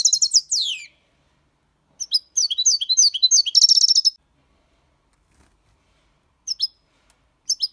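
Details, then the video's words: Goldfinch, six months old, in Malaga copy singing style: a quick descending twitter, then a busy phrase of high chirps ending in a buzzy trill, followed by silence and two brief short notes. "Jilguero cantando Limpio 6 meses/ chardonneret chante la copia Malaga / Goldfinch singing"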